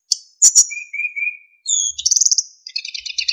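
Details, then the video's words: A narcissus flycatcher sings lively training song with clear flute-like notes. Sharp high chirps are followed by soft, lower, drawn-out whistles, then a pure high whistle and rapid, buzzy, trilled phrases. "MASTERAN BURUNG SIKATAN EMAS GACOR FULL ISIAN & SULINGAN JERNIH"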